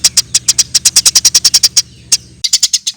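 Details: Lure recording of a Eurasian tree sparrow: a long, quick run of high, sharp chirps at a steady pace, a pause, then a shorter fast cluster, over a faint low hum.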